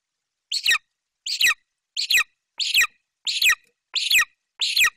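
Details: Golden eagle chick in Bucovina, in its nest tree while branching, screaming with excitement as its mother flies in with a Eurasian magpie in her talons; harsh, high descending screams repeated about every two-thirds of a second.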